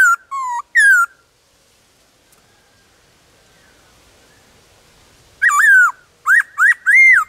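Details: Wild black-throated laughingthrush singing in the forest with several voices: a few whistled notes at the start, a long quiet stretch, then a burst of loud rising and falling whistles.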